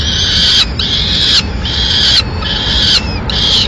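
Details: A male peregrine falcon feeds a swift to the chicks in Madrid, 4 May 2016. Strident, buzzy screams last just under a second each and come in a steady string of five.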